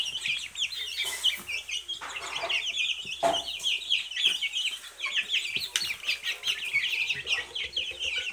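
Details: A brood of Silkie chicks chirping nonstop, thin high peeps overlapping throughout, with a few louder clicks and bumps in the background.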